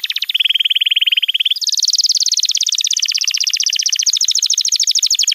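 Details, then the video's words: Canary master song played to train young canaries and prompt silent birds to sing: fast, even trills shifting between pitch levels, one low steady trill followed by higher rapid buzzy rolls. "Masteran Kenari PAUD & Pancingan Kenari MACET BUNYI‼️"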